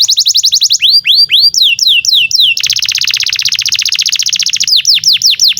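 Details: Lively canary song meant to train young canaries and to restart ones that no longer sing: swooping whistles, a long fast rolled trill lasting about two seconds, then more sharp descending swoops.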